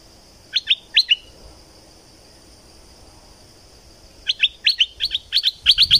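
Thick-billed flowerpecker giving sharp, high, clipped chip notes, a brief pair early, then a quicker run of ticks, over a faint steady high hiss.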